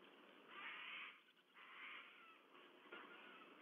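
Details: Two white-bellied sea eagle nestlings on a Sydney Olympic Park nest camera, 14 September 2022, begging while waiting for food; rasping wheezy squeals in uneven bursts, with faint thin whistles, against constant hiss.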